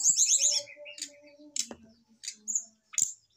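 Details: Caged mature male brown-chested jungle flycatcher reacting to a female placed beside it: a quick series of high descending whistled notes, then scattered short sharp chirps and buzzy bursts, with a faint low hum running underneath.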